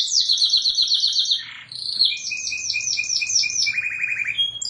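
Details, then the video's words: Canary in full song, described as very melodious and constant: fast high chattering trills, a brief lull, then rapid rolling notes over a lower buzzy trill that ends in short whistles. "masteran#suara kenari super merdu dan gacor"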